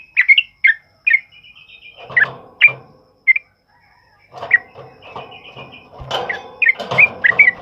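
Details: Sooty-headed bulbul singing a loud, rapid ropel uplik style, meant to train other birds: bright chirped and whistled notes in bursts with short gaps, alongside rustling, clattering noise.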